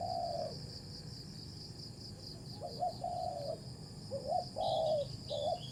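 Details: Cooing from a spotted dove in a decoy-trapping session: one long coo, then a gap, then clustered short coos with slurred endings, under a loud steady insect whine and faint high chirps.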